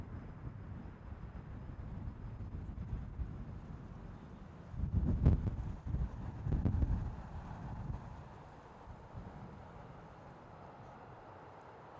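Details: Steady low wind rumble and microphone buffeting, with louder gusts around the middle; no animal calls can be picked out.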